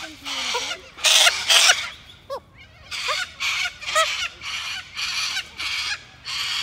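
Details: Cockatoos screeching in a rapid series of loud, raspy, broadband squawks, about eight bursts in under seven seconds, with short gaps between them.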